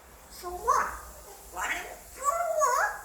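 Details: Indoors, a five-year-old male African grey parrot tries out English, giving three quick speech-like phrases with bright, sliding whistled tones and a warbling final syllable.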